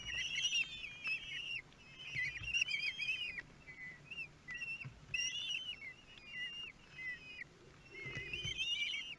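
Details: Young kestrels, 13 days old, begging while being fed at their nest in Théding, France, 5 June 2022; insistent high quavering whistles in clustered runs separated by brief pauses, several chicks overlapping.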